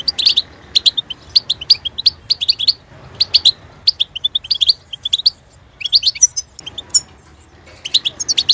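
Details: European goldfinch kept as a cage bird, singing long rippling sequences of rapid twittering notes with occasional sharp high chips and short gaps.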